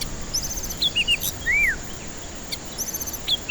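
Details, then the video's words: White-rumped shama singing, played to coax stressed, silent birds into song: a brief sparse run of sharp whistles, one long arched note, and faint high chips, with hiss underneath. "Pancingan murai batu ampuh cocok untuk pancingan murai batu stres malas bunyi"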